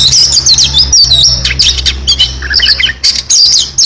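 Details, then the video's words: Oriental magpie-robin with full fill-in song: high twisting whistles running into rough buzzy bursts and low chattering notes, all delivered rapidly and without breaks. "kacer gacor full isian"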